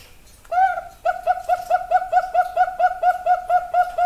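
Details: Zebra dove of the Bangkok perkutut type: after a short silence, an opening drawn coo leads into a rapid, fairly even string of about fourteen short, clear cooing notes, each slightly rising then falling, in a quiet indoor setting.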